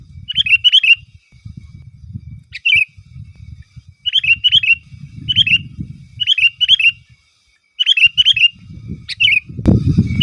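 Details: Sooty-headed bulbul singing vigorously in its natural song, without mimicked phrases, used to call rivals and wild birds and to tutor captive bulbuls: short bubbly whistled phrases repeated every second or so, over a low rumbling background and a closing thump.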